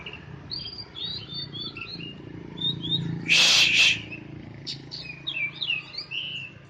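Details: In morning sun, a caged Oriental magpie-robin delivers a steady stream of high whistled and warbled notes. A single loud harsh burst cuts in midway, over a low background hum.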